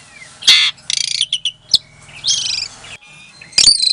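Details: Asian pied starling, captive-bred in Klaten, Indonesia, in a lure song meant to make silent starlings reply: loud rasping buzzy bursts alternate with thin whistles and a sharp click, ending in a harsh squeal.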